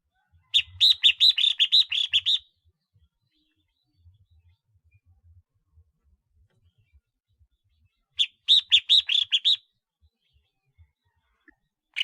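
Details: Red-whiskered bulbul with a collar marking, used as a decoy, delivering two quick runs of clear, chirping whistled notes lasting about two seconds each, with a long quiet gap between them.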